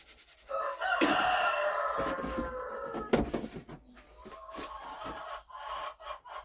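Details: A hen in a snowy March farmyard, one hen pushing past another to lay, gives loud, drawn-out squawks that fall in pitch over about two seconds, followed by shorter, choppier cries and a few sharp knocks.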